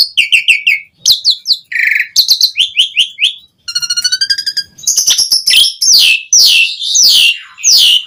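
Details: Asian pied starling singing vigorously, a full varied song played to call rarely singing starlings: rapid series of chattering notes, buzzy bursts, a row of clicking pulses and sweeping whistled phrases, with short pauses between bursts.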